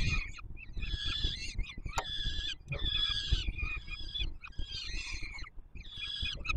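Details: Peregrine falcon young begging while the male feeds them, Palace of Culture and Science, Warsaw, Poland, 7 July 2022: a series of six hoarse, harmonic screech bursts, roughly one per second, over faint low rumble.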